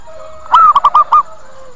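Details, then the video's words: Lure call of a zebra dove: a rapid string of five staccato, bubbling coos packed into under a second, the opening note drawn out and the rest short and evenly spaced, with a quiet low hum around. "Suara PIKAT PERKUTUT Cepat Pada Datang dan Nyaut"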